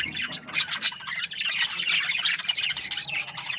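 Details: A group of budgies chirping at morning time: a few sharp, loud squeaks early on, then softer continuous twittering and chattering from several birds.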